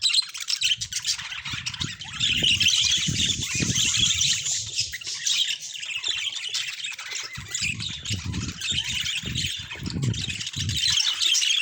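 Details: Budgerigars, naturally recorded, keeping up a busy stream of shrill chirping and scratchy squawks without pause, with soft low thumps and knocks sounding beneath the chatter in several bursts.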